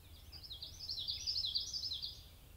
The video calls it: Golden-winged Warbler